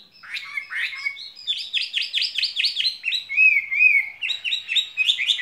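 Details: Caged skylark pours out rapid spring song, sharp chirps repeated in quick series, a brief pair of clear sliding whistles midway, then more fast twittering.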